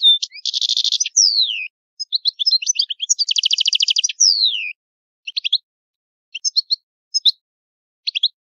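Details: Italian goldfinch, old song style: two dense buzzy trills, each followed by a downward-gliding whistle, then scattered short chips and twitters separated by brief gaps; quiet background.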